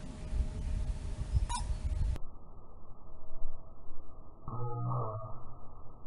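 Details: A Eurasian coot sneezing repeatedly, likely from decomposition gases of rotting leaves and duckweed in the water, gives a single short, nasal, honking sneeze after a sharp click and low rumbling background noise; finding: Eurasian coot.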